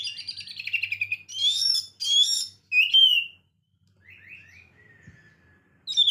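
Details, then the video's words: Oriental magpie-robin singing a lively varied song in its chattering ngekek style: rapid trilled chatter, bright whistled slurs and sharp downward notes, then softer short buzzy phrases after a pause. "KACER GACOR VARIASI NGEKEK"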